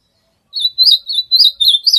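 An ultramarine grosbeak sings a quick run of high, sweet slurred whistles, about four short phrases in a second and a half, with no other sounds.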